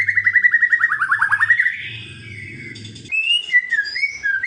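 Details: White-rumped shama in kretekan style to provoke a rival bird: a rapid, even series of rattling notes drops in pitch, followed by a pause and then sweet, wavering whistles.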